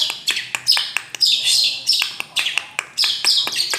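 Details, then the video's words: Long-tailed shrike singing a hurried, high, scratchy warble, studded with sharp clicking notes at irregular intervals and bursts of squeaky whistles. "Burung centet/pentet bersuara emas"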